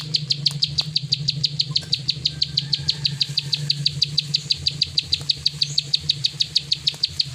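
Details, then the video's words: Plain prinia delivering its continuous 'klik' song: quick, evenly repeated high metallic clicks, about five per second, above a steady low-frequency hum. "Burung prenjak sawah klik ngacor"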